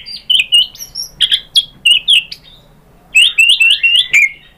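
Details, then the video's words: Lure song of a white-rumped shama, used to spur other shamas to sing: clear high whistled notes in short bursts, a pause, then a quick series of four or five bright rising whistles. "Suara MURAI BATU jadi EMOSI GACOR BONGKAR ISIAN | PANCINGAN MURAI ¦ SHAMA BIRD"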